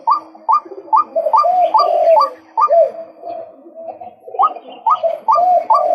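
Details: Male white-breasted waterhen uttering quick, rising, throaty calls in a rapid series. The rhythm breaks with a slurred, lower stretch midway, then the clipped notes pick up again.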